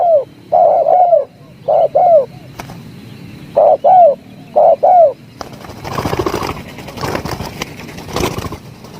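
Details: Jergot, the spotted dove, in tarik akar style: a few paired, arching coos in clusters during the first five seconds, followed by loud rustling and handling noise that covers the rest.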